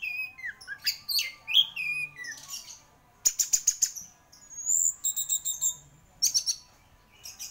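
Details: Orange-headed thrush in energetic, prize-winning song, mixing rapid chattering notes, sharp clicks and long high thin whistles in bursts separated by brief gaps, over a faint low hum.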